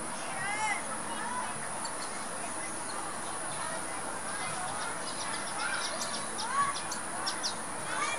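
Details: A flock of Crimson-rumped waxbills (Estrilda rhodopyga) chattering, with thin, high tsip notes and short chirps scattered irregularly and overlapping, over a steady background hiss.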